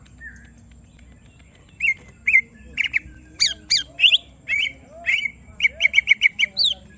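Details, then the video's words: Greater green leafbird held in a cage and provoked to sing its full song: scattered chirps and slurred whistles, ending in a quick series of about six bright repeated notes. "Semua Cucak Ijo Langsung Emosi Bongkar Isian mendengar suara Cucak Ijo lagi di Trek Emosi ini"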